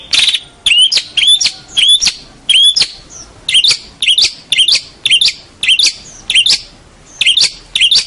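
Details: Champion local long-tailed shrike, tutor song: loud, harsh, rising chirps repeated in steady succession, roughly two per second, with dry rasping edges.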